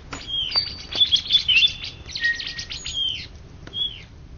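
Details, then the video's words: Greater green leafbird, the 2013–2014 first-place winner across Indonesia, singing a fast run of high whistles and chattering trills, then a long level whistle and a few spaced, bright slurred notes. "Cucak Ijo Juara satu se Indonesia Raya 2013 2014"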